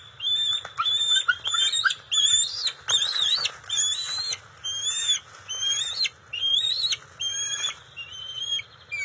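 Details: Wild bald eagles at their nest, the female bringing fish to the eaglets, June 27, 2021: loud, high, piping whistles in rapid bursts, rising and falling notes repeated over and over in a continuous excited chatter.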